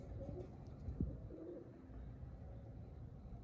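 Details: Pigeons said to be happy, giving low, soft cooing notes in short hums near the start and again mid-clip, over a steady low background rumble.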